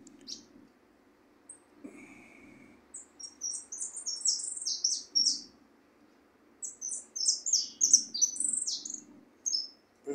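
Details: A white goldfinch in song training sings bursts of rapid, high, tinkling twitters and trills over a low indoor hum.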